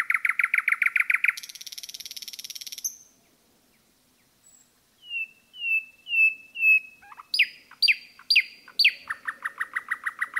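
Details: A common nightingale sings in a forest. A fast pulsed phrase turns into a buzzy trill, then after a silence come four soft whistles, loud sweeping notes and a rapid repeated series.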